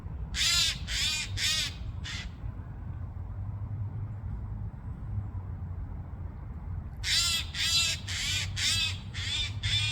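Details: Eurasian jay making noise: four rasping screeches at the start, then about five seconds with only a low background drone, then another run of harsh, scratchy calls about twice a second.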